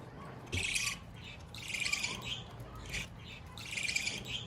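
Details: A baby budgerigar, apparently treating the feeder as its nest, gives harsh, scratchy bursts of high chirping, repeated in short bouts.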